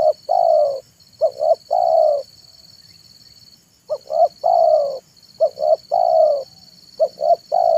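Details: Afternoon song of a spotted dove (tekukur), used to attract wild doves: deep paired short notes then a longer falling coo, three phrases separated by a pause, with a continuous high whine behind.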